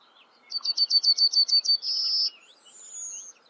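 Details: Yellowhammer watched on camera, singing a quick run of about eight clipped, high, evenly spaced notes, then a short buzzy held note, and a thin drawn-out final whistle that slides slightly downward, over a faint low hum.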